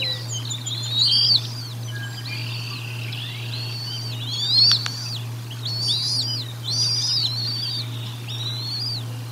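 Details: At the Decorah North nest on 1 April 2022, bald eagles call during a feeding, heard through a nest camera microphone: repeated high arched chirps in short groups, with one sharp click midway and a steady low hum beneath.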